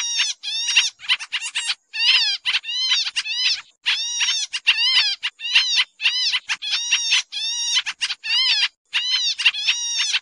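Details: Sooty-headed bulbul lure call, described as noisy: dense bursts of bright, chattering notes that rise and fall, repeated with only brief pauses, no other sounds clearly heard.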